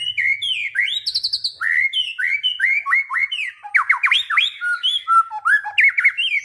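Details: White-rumped shama pouring out a varied whistled song: fluty phrases, a short high buzzy trill, then many quick downward-slurred whistles and sharp rising notes delivered almost without pause.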